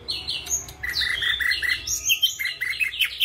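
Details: Ashy drongo of the white-eyed form delivering a busy stream of mimicry that includes flycatcher phrases: quick slurred whistles jumping up and down in pitch, closely packed and chattering throughout.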